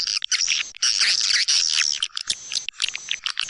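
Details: Swiftlet-house lure call of the white-nest swiftlet from East Kalimantan: dense, high, buzzy twittering in long bursts broken by short gaps, thin whistled overtones running through the chatter.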